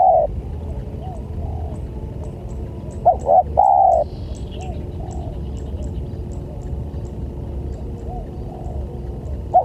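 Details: Lure call of a spotted dove meant to attract other doves: one clear phrase of two clipped coos and a long sustained coo, with a partial phrase at each end and faint distant cooing between.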